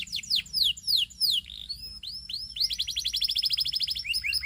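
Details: Singing canary: a few loud descending slurred notes, a thin whistled glide, then a rapid buzzy trill with short chips at the close.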